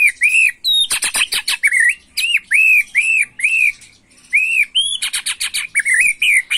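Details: Agitated macul-style song of a white-rumped shama, used to fire up young birds: repeated arched whistled notes alternating with fast dry rattling bursts and a brief pause.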